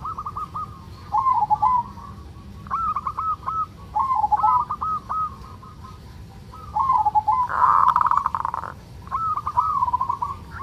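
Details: Local zebra dove giving the 'ngerot' song meant to trigger breeding urge and prompt other doves to sing: rolling trilled coo phrases separated by short pauses, one loud buzzy burst near the end, low rumble throughout.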